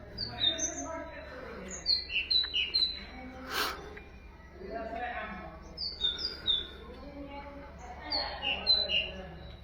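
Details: Nightingale song meant for training goldfinches and canaries: short whistled high notes in small clusters, repeated in phrases, with one sharp click midway and a low hum throughout.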